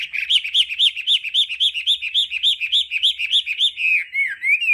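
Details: Hwamei singing the varied 'đảo âm' style for voice training: a steady series of about fourteen identical clear whistled notes, roughly three per second, then a sliding warble.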